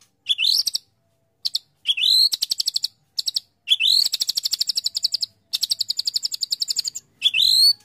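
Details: Shama song for contests: upslurred whistles alternating with long machine-gun runs of crisp, evenly spaced high notes, separated by brief silences.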